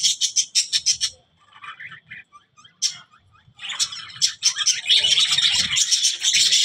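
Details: Budgerigar starting with a run of sharp, evenly spaced chirps, pausing briefly, then launching into a dense, scratchy chattering warble.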